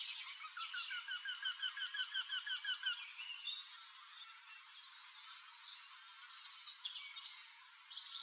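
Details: Male Eurasian wryneck in Drenthe on 29 April 2024, calling from an old woodpecker hole to lure a female to inspect the nest. A quick series of nasal, rising notes runs for about three seconds, then other songbirds twitter.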